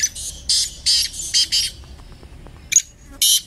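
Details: Francolin calling in a voice competition: a series of loud, harsh, broadband squawking bursts in quick succession, each about a quarter second, followed by a pause, a short sharp note and one more burst.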